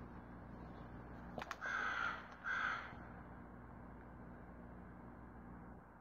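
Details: Crow recorded on 20 February 2022: a sharp knock, then two hoarse, drawn-out caws close together, each about half a second, over a steady low hum.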